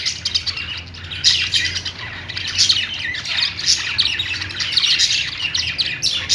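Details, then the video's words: Singing pet budgerigars fill the recording with busy high-pitched warbling and short scratchy squawks, several birds overlapping in a steady chattering stream with louder bursts throughout. "Singing budgie | budgies sounds"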